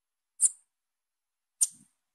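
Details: A young female Bananaquit gives two short, piercing high chips a little over a second apart. The chips stand out against near silence.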